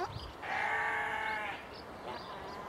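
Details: Swan goose from a pair kept in an open enclosure utters one long, even, harmonic-laden honk lasting about a second, followed by a fainter answering note and soft background chirping.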